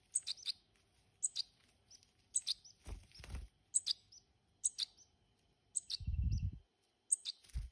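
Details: Hand-reared European goldfinches produce high, bright chirps in regular short groups, interrupted by low thuds and a brief rumbling noise.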